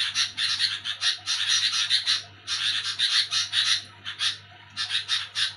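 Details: Harsh night chatter of a sooty-headed bulbul: grating bursts in two main runs, then scattered single notes, with a quieter stretch near the end and a faint steady hum.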